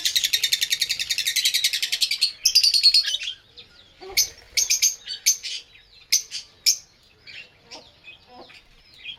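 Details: Lovebird singing and chirping: a loud, fast run of high chattering pulses for about three seconds, then a broken sequence of sharp, separate chirps and squeaks with pauses between them.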